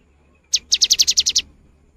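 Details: Cinereous tit sounding off, played to spur silent birds into song: one short, sharp high note, then a fast regular series of eight piercing notes lasting about three quarters of a second.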